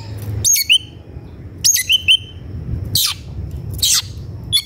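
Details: White-rumped shama in an aggressive mood, seeking a rival, delivers paired clear whistles followed by two harsh, buzzy, noisy bursts, in a quiet setting with faint low hum.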